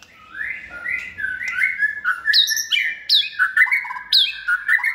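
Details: Competition-trained white-rumped shama in its second season, caged and raised by hand from a nestling. A fast run of sliding whistles grows louder, peppered with crisp high notes in a steady, lively stream.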